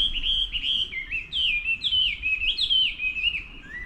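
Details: Clear morning song of a wild bird, recorded 24/05/11: loud, whistled, wavering phrases that rise and dip in quick succession, with little background noise.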